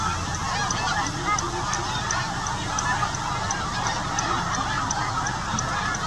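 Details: A large flock of snow geese, adults with young born this year in the Arctic, calls nonstop while migrating south at dusk in autumn near Winchester, Ontario: a dense chorus of overlapping nasal honks and yelps over low rumble.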